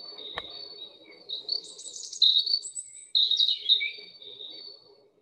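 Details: European Robin, which sings through autumn and winter, giving its sad-sounding song, high, thin, wistful warbled phrases that waver and slide downward at the end, with short pauses between bursts; a faint low hum underneath.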